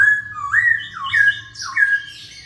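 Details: Masked laughingthrush singing vigorously, a recording meant to prompt other birds to sing: loud slurred whistles, each dipping then rising, repeated about every half second with harsher squawky edges and a faint low hum.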